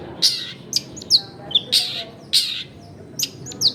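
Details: Long-tailed shrike song for luring other shrikes to sing: spaced, sharp squeaky notes and short rasping chirps, about two per second, over a faint noisy background.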